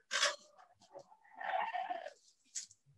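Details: Parrots vocalizing to each other, possibly with English words. A loud harsh squawk is followed by a drawn-out nasal, speech-like call and a brief high squeak.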